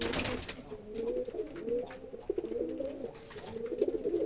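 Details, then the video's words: A burst of noise opens, then pigeons coo in low rolling, slightly bubbling phrases, overlapping one another against a steady electrical hum. "কবুতরের ডাক || পায়রা কবুতরের ডাক Pigeon sound effect"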